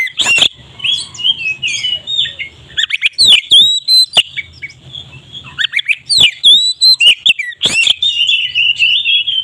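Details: Lure recording of a loud oriental magpie-robin: a dense medley of high whistles, rising slurs and harsh chips in quick bursts, with frequent sharp tapping clicks throughout.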